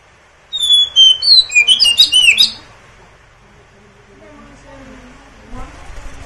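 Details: Oriental magpie-robin, a kept songbird, singing a brief burst of loud, varied whistled and chattering notes, rising and falling quickly over about two seconds, then quiet with faint low background noise.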